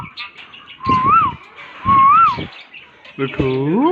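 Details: Talking green parrots: two clear whistled notes that rise and fall, each about half a second, followed by a drawn-out harmonic, voice-like wail that climbs at the end.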